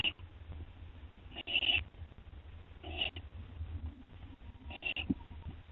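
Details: An owl feeding on a gopher from another owl, 2:56 AM, 10 September 2011; harsh, hissy screeches recur every second or so, with low hum and quiet scuffling in the gaps.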